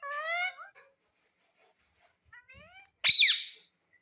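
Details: Pet Indian ringneck parakeet, a talking parrot said to say mummy and papa, gives a short high, strongly harmonic speech-like phrase, then a harsh loud screech about two and a half seconds later.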